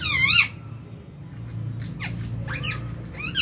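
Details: At meal time in an aviary, January 2023, lovebirds give a loud wavering squawk first, followed by softer buzzy chirps and a final wavering call, over a low droning hum.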